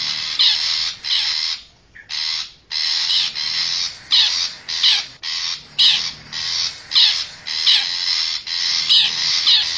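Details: Wild forest long-tailed shrike lure call: loud grating squawks in a quick series, a brief pause near two seconds, then steady rasping notes to the end.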